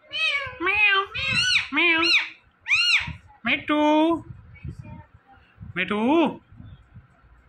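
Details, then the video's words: Talking Indian ringneck parakeet saying "Mitthu", with a run of rapid, bending, nasal voice-like syllables followed by two longer harmonic words spaced apart. "Ringneck Parrot Talking Mitthu Mitthu"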